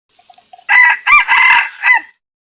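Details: Crow of a male red junglefowl, used to challenge a rival. Faint soft notes come before a strong broken crow in four pieces: a clipped start, a quick hitch, a drawn-out harsh stretch and a short dropping tail.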